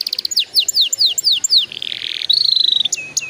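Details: Canary singing, used as a prompt so young canaries begin singing fast: a series of slurred descending notes, a short rough buzz, then a rapid even trill and two closing whistles.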